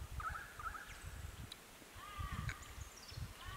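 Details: Jacky winter at its nest in Canberra on 13 November 2017: short whistled notes, some sliding upward, given in scattered bursts over a heavy low rumble of wind or handling noise.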